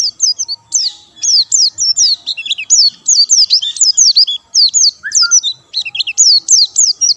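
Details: Loud, close white-eye in full song, no doping used: crisp high chirps in rapid bursts, each note a sharp up-and-down flick, grouped in quick phrases separated by brief pauses.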